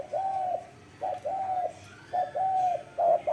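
Spotted dove cooing: soft, hollow, level coos in pairs, a short note then a longer drawn-out one, repeated about once a second. The background is otherwise quiet.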